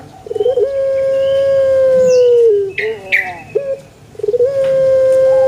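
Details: Pelung chicken crowing twice: a stuttering start opens into a long steady tone that slides down at its end, brief squawks and chirps between, then a second crow begins.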